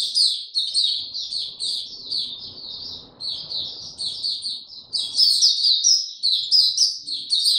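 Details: Caged Mata Puteh (white-eye) nicknamed Hercules singing in a relaxed, unboosted state: a continuous stream of high, rapid twittering notes with sweeping slurs, slightly quieter mid-phrase with faint low background murmur.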